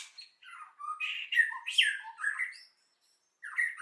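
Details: White-rumped shama singing in a forest-style voice in the 'kéo thuốc lào' style: varied whistled and slurred phrases rising and falling, with short buzzy notes, then a pause of almost a second before a further phrase.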